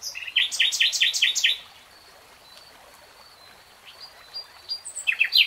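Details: Common nightingale (Luscinia megarhynchos) song: a fast run of rich, repeated chopping notes, a pause amid soft distant birdsong, then bright, varied phrases.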